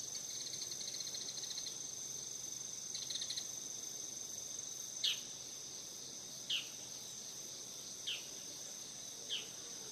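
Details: Bull-headed shrike beside a house in morning on 17 September 2020, newly returned for autumn; harsh, high, downward-sweeping single calls every second or so over a constant shrill insect chorus.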